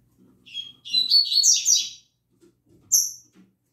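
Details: Caged Double-collared seedeaters in morning song: a brief high note, then a dense, rapid warble of tumbling high twitters lasting over a second, followed by a single sharp high call note, with soft low knocking in the background.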